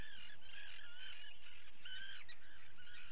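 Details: Common guillemot chicks being fed, recorded on a live cam on 28 June 2020; dense overlapping high, reedy piping calls run continuously throughout, some rising and some falling, with several callers layered together over a low background rumble.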